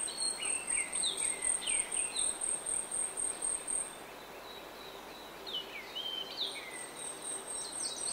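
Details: Grey-backed thrush singing in oak woodland in the early morning: short whistled phrases with rising and falling slurred notes, in bursts separated by pauses, over a steady high pulsing insect chorus.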